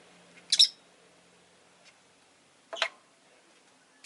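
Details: Rosy-faced lovebird in a calm afternoon setting: isolated sharp, high squeaky chirps spaced about two seconds apart, each brief and piercing, with a quiet background between them.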